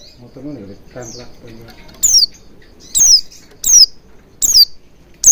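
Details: Oriental white-eye lure song meant to make birds sing: a low, rough harmonic murmur at the start, then five high, downward-sliding whistled notes roughly every second.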